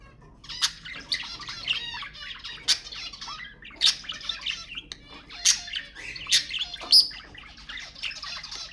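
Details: Budgerigars chattering to stimulate budgies: rapid, scratchy warble of clicks and squeaky notes, broken by loud sharp chirps at irregular intervals.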